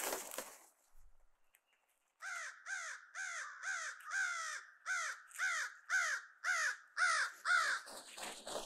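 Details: Crows calling while harassing black vultures to reclaim a lost food pile on Christmas Day: a long run of harsh, arched caws, about two per second, after a brief rustle and a quiet pause.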